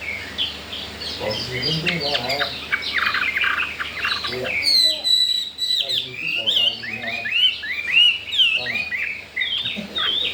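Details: Chinese hwamei kept in a cage, four days after arrival and keen to mate, gives loud slurred whistles and sweeping notes, rising and falling. A voice talks briefly early on, then clear whistled phrases carry through.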